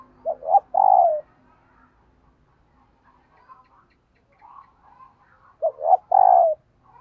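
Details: Female dove calling to stimulate males: two phrases about five seconds apart, each two short low hoots then a longer, drawn-out falling coo, with soft murmuring coos in the quiet between.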